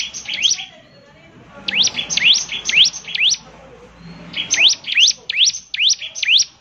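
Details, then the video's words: Bar-winged prinia singing in bursts of rapid, sharp V-shaped chirps swooping down then up, four to six per burst with short pauses between, high-pitched and loud against a quiet background. "ciblek semi gacor, SEKALI putar saja ciblek semi PASTI ikut bunyi nyaut"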